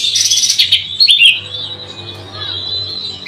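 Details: Oriental magpie-robin singing loudly up close: a rapid, dense stream of high chattering and scratchy twittering notes, with a brief sweeping whistle near the middle, over a low steady hum.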